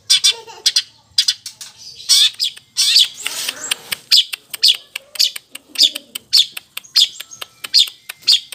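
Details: Kept long-tailed shrike in full, lively song with borrowed phrases of battling sparrows and a lovebird: dense, high, scratchy chirps and squeaks in quick irregular bursts, with a few harsh rasps between.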